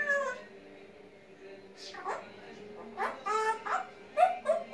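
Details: An African grey parrot, called a talking bird, gives quiet chattering syllables that build into louder, speech-like bursts and short whistled notes near the end, over a soft constant room hum.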